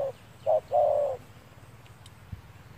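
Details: Spotted dove cooing during trapping with a lure bird in sunny weather: two clipped low notes then one long, mellow, slightly falling coo, followed by quiet background with a faint click.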